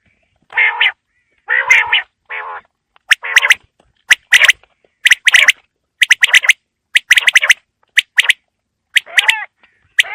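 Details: Evening quail calls for the cold winter season: several nasal, harmonic squawks in quick succession, then a long series of sharp clicking notes in tight clusters, roughly one burst per second.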